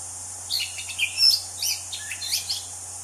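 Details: Orange-banded Thrush (anis cendana) in the wild, giving a quick jumble of clear whistled notes and slurs, high and bright, pausing now and then, against constant background hiss and low electrical hum.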